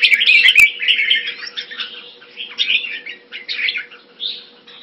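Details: Red-whiskered bulbul, called jambul, from the bird hobby. It sings choppy, bubbly phrases that start loud and fade into spaced short bursts, with a click near the start and a low hum beneath.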